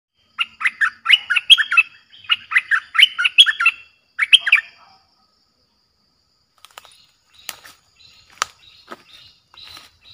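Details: Streak-eared bulbul song, a fierce-sounding lure played to wild birds: quick bubbly warbled phrases of four or five notes repeated for about four seconds, then scattered faint clicks and chirps.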